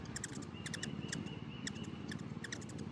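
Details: Hummingbirds feeding in a frenzy, giving clusters of quick, sharp, high-pitched chips every fraction of a second, with a thin steady whine and a low background rumble.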